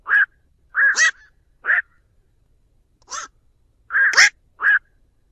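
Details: Black-crowned night heron flock call recorded as a lure: clusters of short guttural croaks, often two or three run together, repeated through five seconds in silence.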